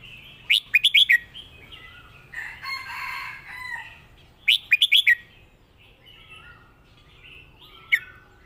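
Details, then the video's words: Competition-style master song of a red-whiskered bulbul from Thailand: loud, rapid four-note whistled bursts alternate with quieter bubbling warbles, ending with a single sharp note. "เพลงแม่บท นกแข่ง#เสียงนกกรงหัวจุก"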